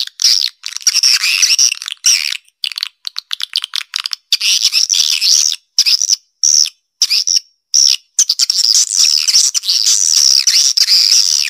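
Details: Swiftlet calling sound, a 'Black Panther' style call for a central area, used to attract swiftlets to a nesting area; dense, high, chirping twitters run almost continuously, cut by abrupt short silences.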